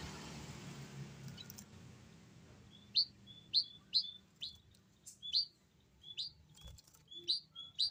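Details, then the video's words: Restless Javan munia giving short, high, sharp chip calls, about two per second, after a few seconds of quiet hiss and faint background noise. "BURUNG EMPRIT KAJI GAK MAU ANTENG"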